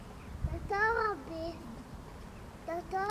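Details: At Vlachy, Liptovský Mikuláš in Slovakia, a Black-throated loon gives a rich, arched, slightly wavering harmonic call lasting about half a second, a lower trailing note, then a sharper rising call, over a faint rumble.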